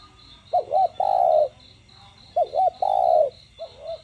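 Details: Spotted dove in the đồng gù and thúc style, used to stimulate captive doves to call. Two full phrases, each two short hoots and a drawn-out low coo, are followed by the start of a third, over steady rapid high chirping.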